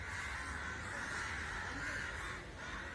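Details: A steady wall of harsh, overlapping caws from an unusually large gathering of crows, with no single bird standing out from the din.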